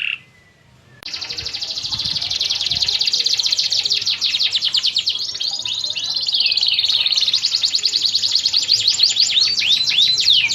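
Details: Dense, continuous canary song described as gacor: a fast, crowded stream of high trills and twittering notes after a brief quiet start, with a light background hiss.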